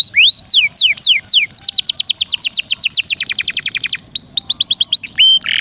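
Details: Canary singing in rolling, bursting style as a tutor for magpie robins: looping whistled swoops, then a steady run of rapid downslurred notes, ending in upward sweeps and a clear tone.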